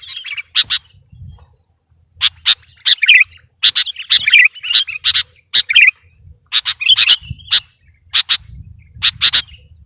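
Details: Kutilang, the sooty-headed bulbul, singing to dominate an opponent: sharp clicking chirps in quick clusters mixed with twittering warbled phrases, broken by short pauses, over soft low background noise.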